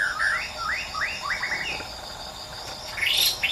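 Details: Wild white-rumped shama singing: a series of rising whistled phrases, each sweeping upward, followed by higher fluttering notes, over a steady insect drone.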